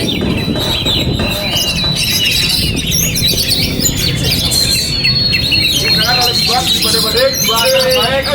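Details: Oriental magpie-robin kept by its owner performing in strong wind: a long thin sustained whistle threads through fast twittering and rhythmic repeated chip notes, wind noise steady underneath.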